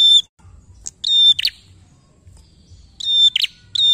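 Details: A prinia sings loud, sharp, high metallic chirps in quick bursts about once a second over a faint low background rumble, used as a lure to prompt other prinias to sing.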